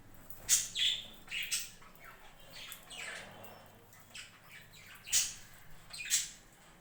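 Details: Budgerigars on a home budgie farm: a burst of several sharp chirps and harsh squawks early on, a quieter stretch, then two more loud, clipped calls near the end, over steady background hiss.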